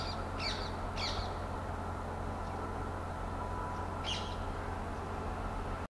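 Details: Spotted owlet giving rough, rasping screeches: two close together at the start, then a lone one after a pause of about three seconds, against constant low droning background noise.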